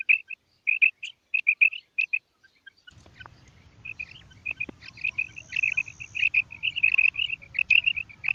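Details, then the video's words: Female common quail calling with quick, high, clipped double notes, loosely repeated. A steady low background rumble enters after about three seconds and continues under the later calls. "Female quail sound| madi batair ki awaz | batair karkaree| Maadi Batair Ki Awaz| Female Common quail"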